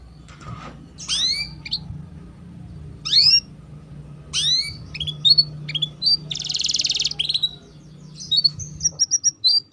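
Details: Young canary kept for song training, giving scattered sharp upward-sweeping chirps and short whistled notes, a burst of dense buzzy sound near the middle, then quick repeated bright notes toward the end over a faint low hum.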